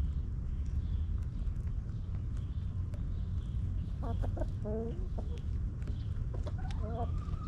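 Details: Backyard hens clucking in their coop, several short stacked harmonic clucks around the fourth to seventh seconds, one rising drawn-out note near the end, over a steady low rumble of background noise.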